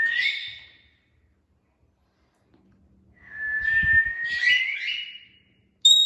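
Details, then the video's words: Pet Indian ringneck parakeet kept indoors, giving a clear steady whistle that fades, then after a pause a longer level whistle broken by harsh rasping notes, ending with a sudden high piercing note. "Talking parrots making natural sounds and funny movements | Alexender and Indina ringneck"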